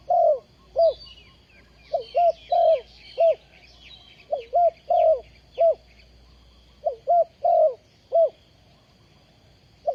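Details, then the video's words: Spotted dove calling as a ground decoy used to catch wild doves, dated 20 April 2020. Busy run of short hooting notes and fuller coos, fairly continuous, over thin high twittering from other birds. "Bẫy Chim cu gáy bằng mồi đất cực đỉnh"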